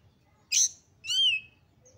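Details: Highly excited Oriental magpie-robin, described as a female in breeding condition, meant to stir other magpie-robins to sing: one harsh high burst followed by a clear, slightly arching whistled note, both brief and loud.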